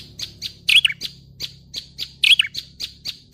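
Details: Prinia lure recording for bird catching: spaced, sharp single chirps about four times a second, with two brief squeaky, twisting phrases interrupting the series, over a quiet low background hum.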